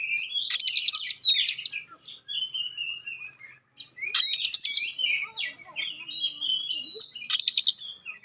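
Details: Magpie-robin giving the sharp 'shot' song with clear notes to get rival magpie-robins to respond: three loud rasping bursts, each followed by long, smooth, falling whistled phrases.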